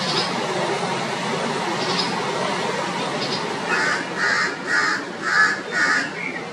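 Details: Red-vented bulbul mother raising a panicky alarm as her chick leaves the nest for the first time and hops on the ground; after noisy background, a run of harsh repeated notes about every half second.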